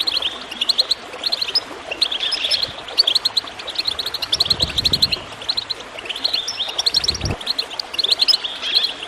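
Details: Goldfinch twittering to get birds singing, set against water gurgling; rapid high chirp runs come in clustered phrases, with a couple of low splashy sounds between.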